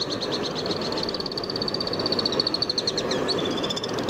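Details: Trilling of Alpine swifts in Hérault, France, July 2022: a sustained high chatter of fast, evenly spaced notes that swells midway, ending with a few drawn-out descending notes over constant background hiss.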